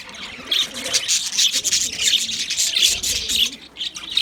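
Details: Several white budgies keep up a busy chorus of bright, scratchy twitters and short chirps, the calls running into one another without pause over a soft, low warbling hum.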